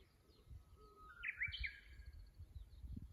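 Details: Japanese bush warbler song recorded 24 April 2025 by a fixed camera beside a tank course in Kusu, Japan: a sustained low whistle leaps into a bright, quick rising flourish, clear over faint low rumble and distant chirps.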